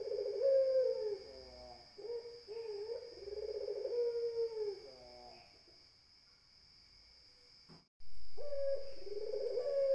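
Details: Low rolling coos from a Barbary dove, several phrases run together then a pause and a sudden restart near the end, over a continuous shrill electronic tone.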